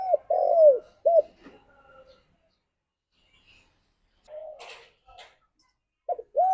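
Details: Spotted dove calling companions: one phrase of an arched coo, a long falling coo and a short coo, then faint murmuring and clicking noises and the start of another coo at the end.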